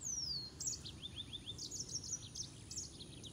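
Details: Green singing finch (Canario de Mozambique) singing: a high descending whistle opens, followed by a lively stream of rapid sharp chirps and trills, continuous throughout, with faint background hiss.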